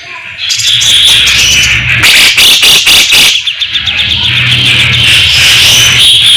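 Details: Cucak jenggot, or grey-cheeked bulbul, in full gacor song with shots and fast tight besetan: a sustained high buzzy warble with loud harsh bursts in the middle and faint low hum beneath.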